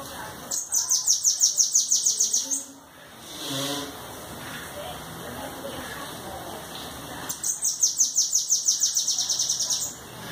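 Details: Bananaquit singing high, rapid, buzzy trilled phrases around two seconds long, twice, separated by a gap of faint background sounds and low noise.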